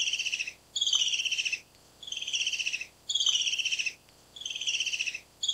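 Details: Repeated descending chatter of a Black-capped kingfisher. Four fast, buzzy, pulsed bursts, each falling slightly in pitch and separated by short silences, with no other clear sounds.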